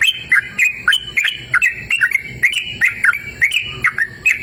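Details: Lively song of a sooty-headed bulbul recorded in a cool, open natural setting: dense, bubbly chirped notes with quick upward and downward slurs, tumbling over one another without pause.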